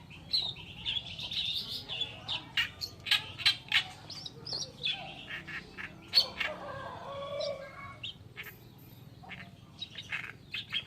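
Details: Oriental reed warbler (kerakbasi alis putih) giving masteran tutor song: a long, uneven stream of rasping, chattering phrases with varied scratchy notes and brief pauses.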